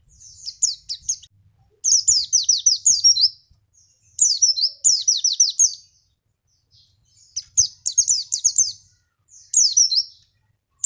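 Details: Javan white-eye singing as a lure for other birds: shrill, rapid series of downward-slurred chirps grouped into bursts about a second long, with brief silences between.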